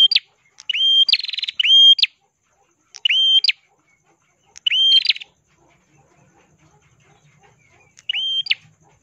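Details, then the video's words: Red-headed prenjak, the ashy tailorbird, in lively song for tutoring other songbirds: short bright whistles that rise and snap upward, repeated in bursts every second or two, one burst carrying a fast rattling trill. "burung prenjak kelawu gacor suara kristal cocok untuk masteran❗prenjak kepala merah❗"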